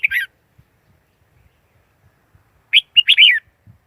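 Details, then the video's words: Red-whiskered bulbul used as a trapping lure, recorded free of noise: one clipped phrase at the start, then after a silence a lively burst of several warbling, up-and-down notes. "Tiếng chim chào mào mồi dùng đi bấy cực sát bổi"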